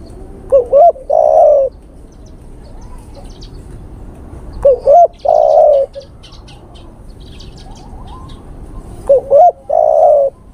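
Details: Male spotted dove lure call aimed at a female: the same phrase given three times about every four and a half seconds, each a short stuttered double note then one long, burry, throaty coo, with quiet pauses between.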